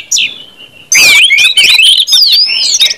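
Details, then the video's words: Short stretch of ngeplong orange-headed thrush song, meant to get other birds singing quickly: a faint opening note, then a loud, rich tangle of rising and falling whistles with crisp clicks. "KUMPULAN ANIS MERAH NGEPLONG BIKIN CEPAT BUNYI DAN GACOR ANIS MERAH"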